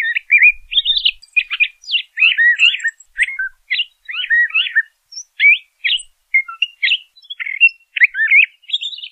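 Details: Varied, rambling song of a LeConte's thrasher: a continuous stream of jumbled, chattering and warbled phrases with quick pitch jumps, brief pauses between bursts, and no other sounds heard.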